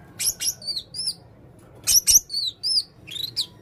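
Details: Red-throated male blue-crowned hanging parrot singing energetically: rapid bursts of shrill, high twittering notes and thin downslurred whistles, grouped in short phrases with brief pauses.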